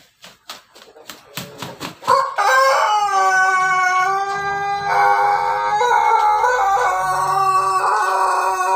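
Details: Pelung chicken giving a very long crow: several short sharp notes lead into a sustained, steady harmonic call lasting over six seconds, with a constant background hiss.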